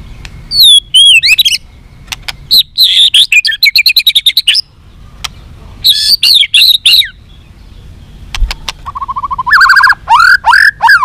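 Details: Long fight-provoking song of a white-rumped shama: varied looping whistles, fast trills and chattering runs, and a final series of rising whistled notes, delivered loudly with short pauses.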